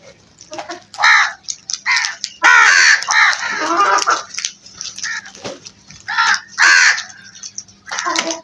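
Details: A flock of crows cawing: harsh, hoarse caws in bursts and clustered overlapping runs, several birds calling at once, with loud rasping outbursts between shorter single caws.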